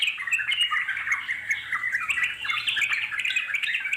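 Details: Continuous chorus of wild Yellow-vented Bulbuls, rich bubbly warbling notes tumbling over one another throughout, steady and loud.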